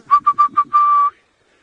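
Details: Orange-breasted bush-shrike calling in early morning from a tambuti thicket at Djuma Game Reserve, Sabi Sand, South Africa, in March: four quick, even whistled notes, then one long, drawn-out whistle.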